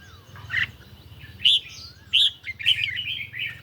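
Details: Caged red-whiskered bulbul answering a phone recording in a song duel on a lightly sunny day: a few isolated short whistled notes, then a brief run of warbles, against a persistent low hum.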